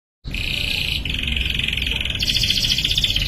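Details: Young canary learning to sing, aiming to become a strong singer: a sustained buzzy trill held steady, then shifting to a higher, brighter rolling trill, with low background hum throughout.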